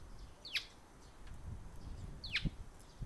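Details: Sparrow, the first to visit on 6 July and recorded until it flew away, gives two sharp chirps that sweep steeply downward, roughly two seconds apart, over a low outdoor rumble.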